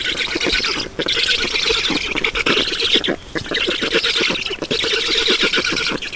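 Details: Black storks feeding at a nest in Estonia, 7 June 2019 at 16:18. Bursts of fast, raspy squawking are broken by short pauses near one, three and four and a half seconds.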